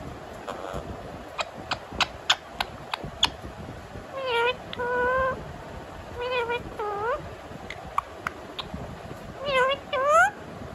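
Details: Pet rose-ringed parakeet imitating a cat: a run of sharp clicks, then a sequence of paired, wavering meow-like calls, some rising steeply, mixed with further clicks and a final upward-sweeping miaow.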